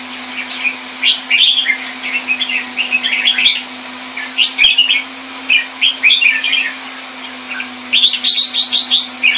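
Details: Thai-style caged red-whiskered bulbul from Singapore, 2018: repeated bursts of rich, bubbling whistled phrases separated by short pauses, a few sharp clicks, all over a continuous mechanical drone.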